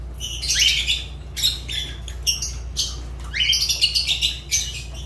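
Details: Pet Fischer's lovebird uttering sharp, high squeaky chirps, several sliding upward, in clusters of rapid notes; a constant low hum lies beneath.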